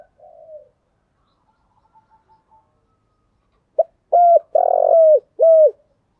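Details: Spotted dove cooing, used to lure birds; a faint opening coo, a quiet pause, then a clear phrase of a short note and three loud hooting coos, the middle one longest.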